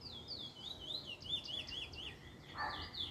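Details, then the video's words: Trinidad bullfinch described as a first black bird picking up a nice form, recorded 10/10/20: rapid chain of zigzagging whistled notes, sliding up and down, run together without pause, with a brief lower burst near the end. "Trini bullfinch first black picking a nice form"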